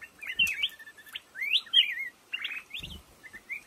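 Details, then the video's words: A black-crested bulbul sings in lồ ô bamboo with bright, rolling whistled phrases in separate bursts, sliding upward and dropping, plus two soft thuds of movement. "tiếng chim hót trong bụi lồ ô"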